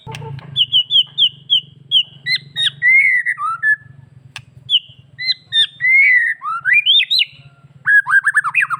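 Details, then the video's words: Bali-type white-rumped shama in full gacor song with varied fills, meant to provoke other shamas into answering: rapid repeated whistled notes, then rising and falling slurred phrases and chattering bursts, over a steady low hum. "MURAI BATU BALI... suara gacor full isian BIKIN MURAI APAPUN LANGSUNG NYAUT"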